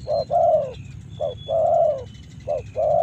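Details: Spotted dove from Karawang giving loud, soft-toned coos, short notes followed by long sustained ones, while faint high thin whistles of another bird sound behind.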